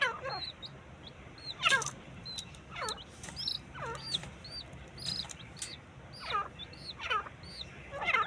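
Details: Partridge (teetar) calling during a fight: harsh, descending calls repeated roughly every second, some in quick bursts, with many small high chirps from other birds and a steady low hum beneath.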